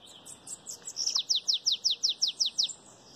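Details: Belga chapado song from a bananaquit. Soft high notes lead into a steady run of about a dozen bright, falling notes, evenly spaced at roughly six per second.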